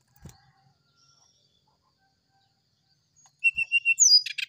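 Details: Brown-chested jungle flycatcher in morning sulingan song: after a long quiet stretch, a run of short, steady high whistles leads into a fast falling slur and raspy clicks near the end.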